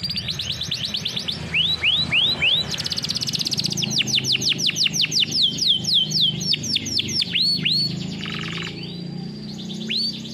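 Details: Canary singing a training song, a steady stream of quick rising-then-falling whistled notes alternating with dense rattling trills, lively and unbroken throughout.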